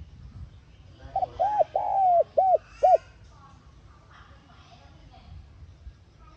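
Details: Spotted dove cooing in the calling style used to rouse a caged bird: one phrase of two quick hoots, a longer falling note and two short hoots, followed by quiet.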